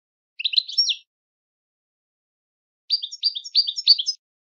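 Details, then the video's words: European goldfinch giving short phrases of bright, liquid twittering notes, a brief burst followed after a pause by a longer run of quick, rising and falling chirrups. "The Captivating Songs of European Goldfinches"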